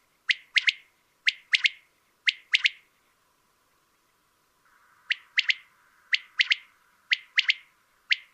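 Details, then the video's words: Male-type quail song from Coturnix coturnix: ringing, liquid whistled phrases of one note plus a quick pair, repeated steadily in two bouts split by a short silence, with faint hiss beneath. "song of the quail (canto del quaglio) coturnix coturnix"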